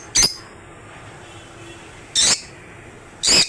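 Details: African lovebird calls: harsh, shrill screeching bursts, three short blasts with long quiet gaps between them.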